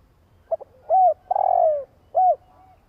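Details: Spotted dove cooing to provoke a decoy bird: a short double note, a smooth arched coo, a long trembling coo that drops in pitch, then a final rounded coo. No other sounds.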